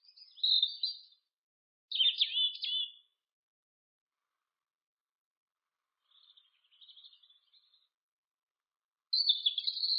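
European robin singing short, high, sweet phrases of thin trills and warbles, each about a second long, separated by pauses; a quieter phrase sits in the middle.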